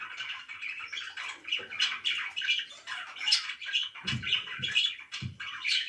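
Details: Pet budgerigars chirping indoors in a small room: dense, continuous warbling chatter of many overlapping buzzy and whistled notes, with a few low thumps near the end.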